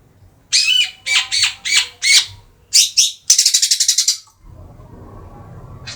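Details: Three-month-old long-tailed shrike from Madura, kept as a pet and singing vigorously: five harsh, scratchy chattering bursts roughly half a second apart, two more, then a rapid run of about eight clipped notes, followed by quiet low hum.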